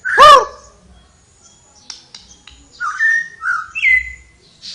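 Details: Flowerpecker singing lively: a loud, harsh, chevron-shaped note opens, then thin whistled notes slide and flick upward between mid and high pitch after a pause, with faint clicks in the background.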